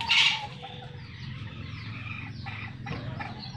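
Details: A farmed Sumatran red junglefowl gives one short, loud, high-pitched squawk at the start, then only softer, rougher clucking over a steady low background hum; Red junglefowl.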